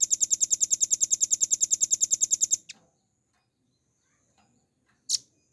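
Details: Velvet-fronted nuthatch, a master recording for training songbirds in rapid 'ngebren' style. A fast, regular train of shrill high notes runs for over two seconds and stops abruptly. Near-silence follows, then one brief sharp note.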